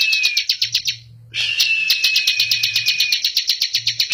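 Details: Bar-winged prinia, locally ciblek or prenjak, singing busily: fast rhythmic high ticking notes about four per second, a brief pause, then a thin whistled tone with ticks resuming, over a faint low hum.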